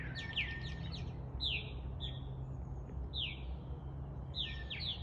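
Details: Purple martins on April 11, 2022 give gurgling, chirping calls sliding down from high notes, several birds overlapping in quick bursts over a steady low rumble.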